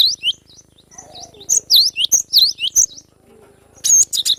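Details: Young cinereous tit in wild forest singing 'besetan' style, a chattering series of high V-shaped notes, then a short pause and a final cluster of sharp, piercing whistles.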